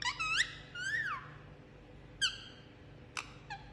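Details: Pet Indian ringneck parakeet enjoying a head massage, giving a few soft, rising-and-falling whistled calls with harmonics, the longest near the start, then brief chirps; a faint steady hum underneath.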